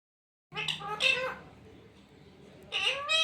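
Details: Pet parrot talking, said to say "mummy papa": two bursts of high, harmonic, speech-like syllables with bending pitch, separated by a quiet stretch of low hum.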